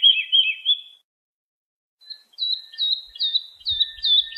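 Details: Lark song for training young birds: a brief warbled phrase, a second of silence, then a rising series of sharp, clear whistled notes repeated about every half second, with faint low thumps.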